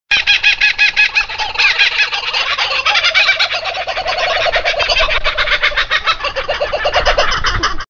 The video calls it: Laughing Kookaburra Birds Sound